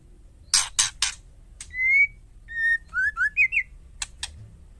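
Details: Female White-rumped shama, her call said to trigger males to answer: two harsh rasping notes open, followed by a long pure whistle, a lower whistle and a rapid twisting series of slurred whistles, then single dry ticks.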